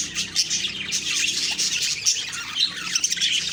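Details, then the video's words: Morning chirping of budgies on October 2, 2023: a busy wash of rapid high twittering with occasional sharper whistled peeps standing out. "Beautiful morning birds chirping sounds/Budgie sounds"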